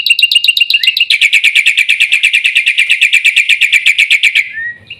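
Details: Black-winged myna delivering a long, fast rattling series of scratchy repeated notes, about three per second and more, sustained for over four seconds before a short downslurred whistle.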